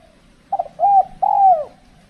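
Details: Spotted dove calling during cold-season decoy trapping in the Riau Islands, with birds described as timid and less aggressive: a brief stuttered note followed by two smooth, hollow coos, the final one falling in pitch; quiet background.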